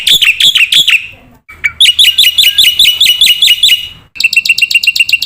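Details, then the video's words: Masteran of a Black-winged myna in full song, meant to train and prompt young mynas: a few loud hooked chirps, a gap, then a rapid train of bent, high notes, cut off and followed by a lower repeated chatter. "masteran jalak putih gacor full isian pancingan jitu burung jalak muda"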